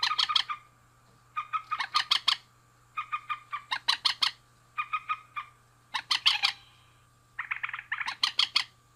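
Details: Male and female rail (mandar) calling together: harsh, clucking notes bunched in quick bursts of four to six, the bursts repeated about every second and a half, over a steady low electrical hum.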